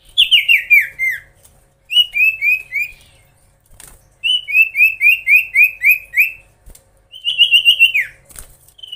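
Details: Loud, ringing magpie-robin song meant to provoke rivals: three runs of five to seven even, downward-slurred whistles, each series well spaced, ending with a sharper twisting note.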